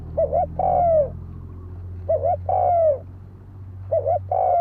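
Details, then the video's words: Spotted dove cooing as a fighting lure. Three phrases about two seconds apart, each a brief two-part note then a sustained, downward-curving coo, over a steady low mechanical hum. "Tiếng chim cu gáy đấu bổi dùng kích mồi"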